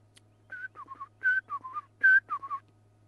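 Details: A pair of Black-collared Barbets perched together duet in ringing, whistled phrases on a morning safari drive at Djuma Game Reserve, South Africa, on July 20, 2011. A high note drops to lower ones, repeated in quick bursts over a steady engine hum.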